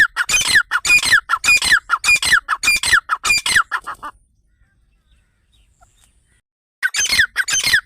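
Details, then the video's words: Grey francolin (teetar) giving a loud, harsh, rhythmic call, phrases repeated almost twice a second for about four seconds, then a pause before the series resumes; offered as a partridge hunting sound. "Dakhni teetar Irani teetar Teetar ki awaz Teetar hunting sound Teetar Awaz Partridge hunting sound"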